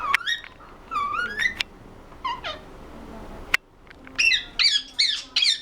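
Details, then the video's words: Talking pet ringneck parrot producing squeaky, wavering speech-like syllables in quick groups, a sharp click midway, then a faster run of high chattering phrases. "Ringneck parrot talking"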